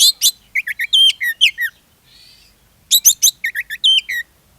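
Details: Oriental magpie-robin in energetic lure song to prompt other magpie-robins: dense runs of quick chirps, sliding whistles and harsh notes, a short soft pause, then the same varied phrase repeated.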